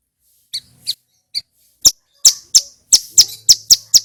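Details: Male Bar-winged prinia, called ciblek gunung or prenjak gunung, singing loud and clear: scattered high chirps building into a rapid run of sharp, ringing chip notes, with a low mechanical hum in places.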